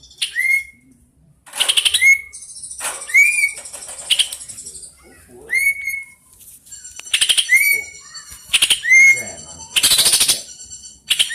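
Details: Tame, district-champion greater green leafbird singing a long, fast rolling song. It gives loud, rapid buzzing trills with ringing overtones, broken by clear upward-slurred whistles, in bursts every second or two.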